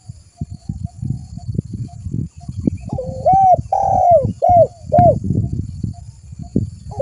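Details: Lure call of a spotted dove meant to draw other doves: after a stretch of low rattling noise, a phrase of four soft, rounded coos, one long and three shorter, then clatter resumes.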